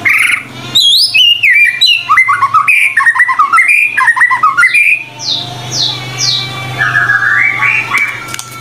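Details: White-rumped shama singing a lively medley used as training material: rapid up-and-down whistles and chatter, then a string of descending high sweeps and a softer rising warble, over steady low hum.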